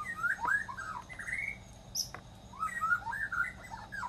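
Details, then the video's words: White-rumped shama singing in the wild, delivering two bursts of quick warbled whistles that swoop up and down, separated by a short pause with a single high note. "𝗦𝘂𝗮𝗿𝗮 𝗞𝗶𝗰𝗮𝘂 𝗕𝘂𝗿𝘂𝗻𝗴 𝗠𝘂𝗿𝗮𝗶 𝗕𝗮𝘁𝘂 𝗔𝗹𝗮𝗺 𝗟𝗶𝗮𝗿 𝗠𝗲𝗿𝗱𝘂 𝗚𝗮𝗰𝗼𝗿"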